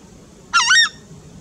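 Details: Southern screamer (Chauna torquata) in Argentina gives a single loud, harsh honk of two quick joined notes, lasting about a third of a second, over a quiet background; call.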